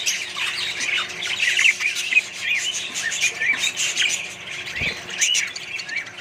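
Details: Australian budgerigars in a colony kept with other birds, a dense overlapping chatter of short high chirps, warbles and squawks from many birds at once, with a soft thump near the end.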